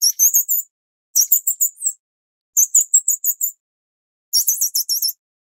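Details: Grey-cheeked Fulvetta (Alcippe morrisonia morrisonia) chicks, the Taiwan endemic subspecies, being fed give four bursts of high, thin, rapid begging notes, each under a second long and about a second apart.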